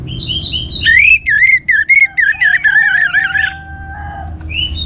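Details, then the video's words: Orange-headed thrush, used to set other birds singing: soft high whistles, then a strong series of rolling, wavering whistled notes with a lower humming tone beneath, fading out. "ANIS MERAH Gacor Untuk Memancing Burung Jadi NGeplong Bahkan Teler"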